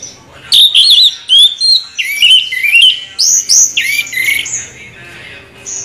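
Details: Orange-headed thrush singing the continuous rolling ngeroll song, a loud, varied stream of warbled whistles, buzzy slurs and upward-swooping notes delivered in quick bursts, fading toward the end.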